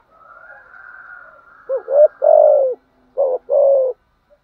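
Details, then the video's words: Spotted dove coo used to entice wild doves: after a soft hum, two quick rising notes and a long vibrating coo, then another short pair and a falling coo. "Tiếng chim cu gáy dùng kích bổi và tập mồi bài bản/ thúc gù, gáy gọi/ kích thích bổi nghe gáy theo"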